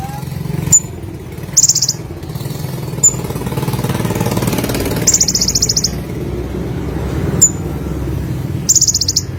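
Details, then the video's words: Olive-backed sunbird singing, with brief high buzzy trills of rapid notes at intervals among thin single tsip notes, over a loud steady engine rumble like a passing motorcycle. "BURUNG KONIN SUARA GACOR FUL MATERI 100% JERNIH"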